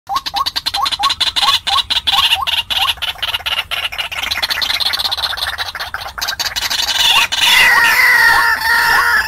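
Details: White-breasted waterhen lure call used to attract and trap wild birds: short rising notes repeated about four times a second, then a harsher, louder, grating passage with higher tones toward the end.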